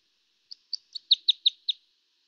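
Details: Red Crossbill singing a soft, weak-sounding song phrase of seven short, clipped, high notes in quick succession, growing louder toward the middle, with no other sounds.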